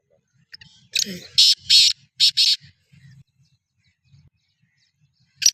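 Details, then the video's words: Black francolin (kala teetar) in chakri preparation, 2024, kept alongside another francolin; four harsh, buzzy high bursts spaced about half a second apart, preceded by a brief low voice-like sound, then quiet with faint rustles and a final short burst. "Kala Teetar ki Chakri ki Tyari 2024 | چکری کی تیاری |Black Frankoline"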